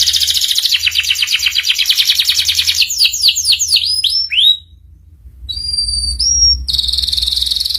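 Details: Master song of a canary, used to teach young canaries the ngeriwik style: a fast pulsing trill gives way to rapid downward-sweeping notes, a brief pause, then clear whistled notes and a renewed buzzy trill.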